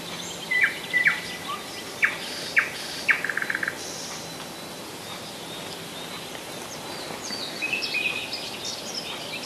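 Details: Common nightingale singing in July 2011 at Rassudovo, about 40 km from Moscow: sharp separate notes in a loose series, then a fast dry trill, with fainter high twittering near the end over a steady background hiss.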